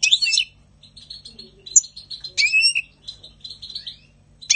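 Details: Spring song of a European goldfinch, opening with a bright twittering burst, followed by light repeated chips, a clear upslurred whistle and a ringing descending trill, ending with another sudden twitter.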